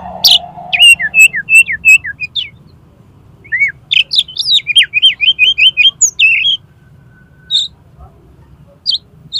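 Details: Oriental magpie-robin singing to challenge a rival into fighting, tail spread: loud bursts of sharp whistled and chattering notes, several rapid repeated downslurred series, pauses between phrases, faint low hum beneath.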